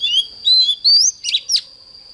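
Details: Oriental magpie-robin singing in the morning, 'căng lửa' style: several smooth whistles, one rising sharply, then two short buzzy bursts, over a steady high background tone.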